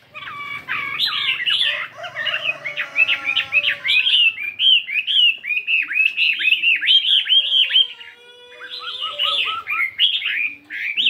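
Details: A fighting Chinese hwamei weighing 72 grams during morning singing practice. After a soft low hum, a long, varied run of rapid looping whistles begins, pauses briefly, and then resumes.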